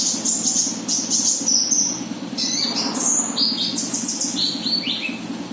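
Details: Konin bird lure call, high thin chirps and short whistled phrases, some dropping in pitch, tumbling quickly over a steady low mechanical hum.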